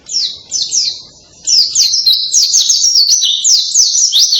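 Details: White-eye (pleci) delivering a loud canary-style song (rasa kenari) with powerful bursts: a few short, high, down-slurred phrases, then a fast, unbroken run of sharp sweeping whistles and twittering chirps.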